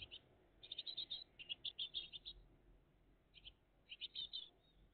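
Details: A great tit family on a live cam, 20 June 2023 between 06:02 and 08:01, gives high, thin, rapid chittering bursts in clusters with short pauses, over a faint low hum.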